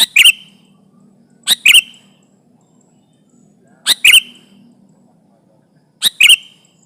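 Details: Sooty-headed bulbul calling to press a rival, used as a trapping lure: doubled sharp chirps with falling whistled tails, repeated roughly every two seconds, faint low hum in the gaps.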